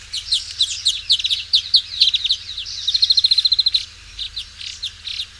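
European Greenfinch giving quick twittering chirps, then a fast, evenly repeated run of ringing notes around the middle, followed by more scattered chirps.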